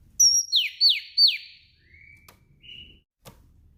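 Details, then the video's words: Female oriental magpie-robin calling in the afternoon to stimulate males to sing; high thin notes, three quick descending slurred whistles, then two soft lower whistles, with a couple of faint clicks. "Panggilan kacer betina disore hari ampuh merangsang kacer males bunyi."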